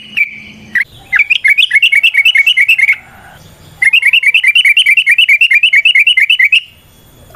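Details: Sooty-headed bulbul in nrotok style, a lure to get other bulbuls singing: a chirp, then two sustained runs of rapid, evenly spaced buzzy notes separated by a short silence.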